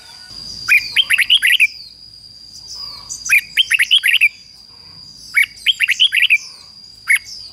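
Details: Decoy red-whiskered bulbul singing to draw wild rival birds: three lively phrases of six to seven crisp, whistled notes, bouncing up and down, repeated every two to three seconds, with a steady high electronic-like whine behind.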